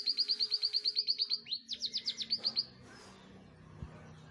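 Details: Indonesian canary finch singing a bright high trill of about thirteen evenly spaced sharp notes, then a short falling slur and a second faster run of chirped notes, ending abruptly in quiet room hum.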